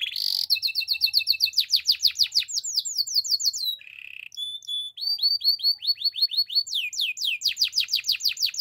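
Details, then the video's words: Belgian canary song recorded as training material for young singers. Rapid, varied tours follow one another: sweeping slurred whistles, a steady low trill, and a brief buzzy note. Fast rhythmic rising-falling syllables close the passage, with no other sounds. "The best belgian canary singing for training! Beautiful song"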